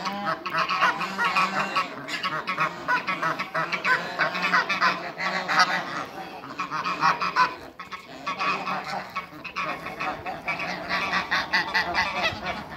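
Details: Domestic geese of Toulouse and African breeds, eight birds, meeting new geese: a dense, continuous chorus of overlapping harsh honks with brief lulls, several birds calling at once throughout.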